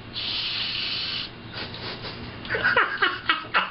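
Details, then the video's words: A two-year-old Harlequin Macaw, talking at a mirror and telling a Blue and Gold Macaw to hush for the first time, gives a long, breathy "shhh" hiss for about a second, then quick, husky, laugh-like chuckles in a small room. "Talking Macaw"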